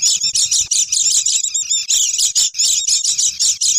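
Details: Oriental white-eyes in a noisy lure recording: quick bursts of thin, high twittering repeated several times a second, with a low rumble underneath.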